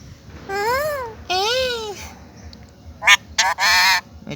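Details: Pet parrot saying its name: two clear arching, voice-like harmonic syllables, then a quick series of loud harsh squawk-like bursts.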